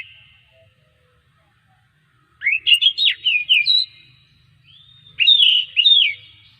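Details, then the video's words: Singing Oriental magpie-robin, a recording meant to spur other birds of its kind to sing: after near silence, two bursts of sweet, sliding and twisting whistles, the second opening with a long flat note. "masteran suara kacer buat mancing kacer lain supaya gacor setiap hari"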